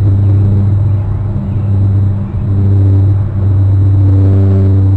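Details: A loud, steady low rumble with a droning hum and slight surges, like an idling engine; no animal voices are heard.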